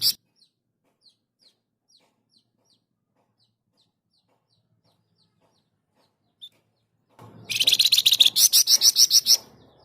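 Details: Flamboyan bird singing loudly and persistently, used as a master recording for training other birds: scattered faint high ticks, then a burst of rapid, harsh, high-pitched chattering notes repeated about three to four per second near the end.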